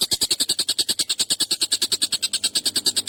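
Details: Long, sharp, harsh call of an agitated collared kingfisher, used to train songbirds. Rhythmic grating notes repeat about eight times a second, evenly spaced and strong throughout.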